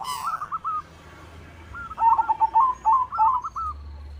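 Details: Song of a white zebra dove meant to prompt other doves to sing: a soft opening coo burst, a quiet pause, then a fast rolling string of short, wavering coos near the end.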